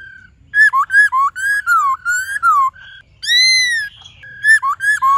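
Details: Forest-voice song of the White-cheeked laughingthrush, many voices, for training caged birds: bursts of quick downward-slurred whistles, a long ringing arched whistle, then more rapid slurred notes, loud and clear throughout.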